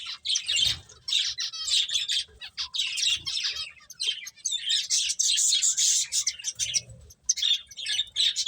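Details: Several finches chirp almost without pause while eating, a busy chatter of high, thin tweets and short buzzy notes overlapping one another.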